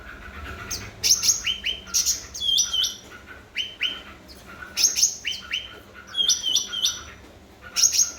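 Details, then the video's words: Energetic song of a cucak ranting bulbul, played to stimulate silent birds: rapid upslurred notes in pairs and triplets with high ringing accents and short twitters, over a quiet background. "Burung Cucak Ranting Gacor//pancingan cucak Ranting Macet Bunyi."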